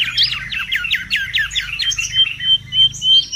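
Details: Wild mangrove whistler, recording meant for luring and tutoring birds: a quick string of sharp descending whistled strokes followed by longer level whistles and thin high notes, over a faint low hum.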